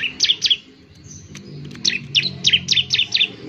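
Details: Bar-winged prinia, a semi-wild bird kept in training, singing actively to prompt other prinias to sing: loud sharp chirping notes in quick bursts of two to five, high and slightly buzzy, with faint lower whistles between.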